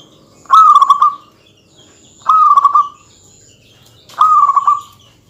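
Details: Local zebra dove in vigorous, dense song aimed at provoking rival males, giving three evenly spaced stuttering coo phrases roughly every two seconds. Each phrase is a rapid bead of notes settling into a brief held tone.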